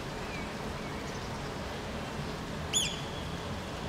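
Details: A Eurasian oystercatcher standing in the rain in Helsinki, Finland, June 2014, before taking off as humans approach: steady rain hiss, broken near the end by a single sharp, high, piping 'kleep'.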